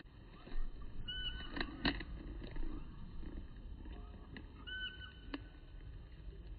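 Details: Common kingfisher on the Zenpukuji River in Suginami, Tokyo, filmed by smartphone with a telephoto lens; two short, thin whistled notes about three and a half seconds apart, amid clicks and a low rumble.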